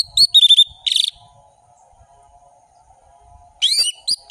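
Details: Orange-headed thrush delivering a richly varied song: quick whistled notes and a wavering trill, a buzzy burst, a long pause over a low steady hum, then a fresh phrase of sharp descending whistles.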